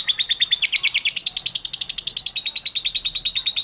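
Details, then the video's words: Lovebird singing the long ngekek chatter, played to draw song from other lovebirds: quick high rattling pulses, about eight a second, uneven at first and then settling into an even buzzy trill. "INI CARA MEMANCING BURUNG LOVEBIRD, PASTI BUNYI MENDENGAR VIDEO INI.. LOVEBIRD SINGING"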